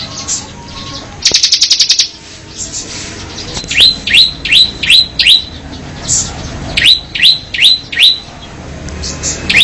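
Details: Mountain cemblek bird: a short rapid buzzing rattle, then two bursts of quick upslurred chirps, five and then four notes, each rising sharply to a bright squeaky peak, with soft background hiss.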